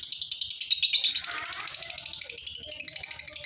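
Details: Lovebird ngekek chatter, kept as a training and lure sound for other lovebirds: a continuous, dense, high-pitched rattling chatter pulsing about eight times per second.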